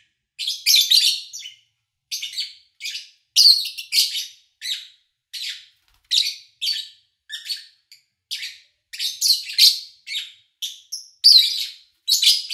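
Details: Captive lovebirds recorded in August 2019, sometime between morning and evening. Short, sharp, raspy chirps arrive as separate notes spaced by clear silences, sometimes doubled, over a quiet background.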